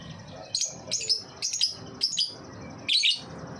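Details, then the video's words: Lovebird in ngetik song, a lure to prompt other lovebirds to sing: five short, loud, high chattering bursts about half a second apart, each a tight cluster of scratchy clicks. "Burung Lovebird ngetik pancingan lovbird paud"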